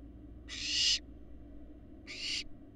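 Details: Two loud, breathy hisses from barn owl fledglings on a live Florida nest cam, from eggs laid January 2022, about one and a half seconds apart, each building to a peak then stopping sharply over a low hum.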